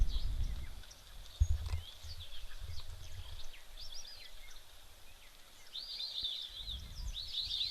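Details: White-faced whistling ducks at an African waterhole on 25 February 2025 give high, clear, wavering whistles in short runs, strongest toward the end, over a steady low rumble of wind and rain.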